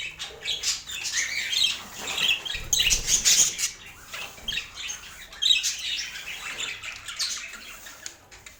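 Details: Budgerigars feeding on healthy food, with a steady stream of rough warbled chatter and sharp squeaks broken by brief fluttering noises, busy and uneven in rhythm.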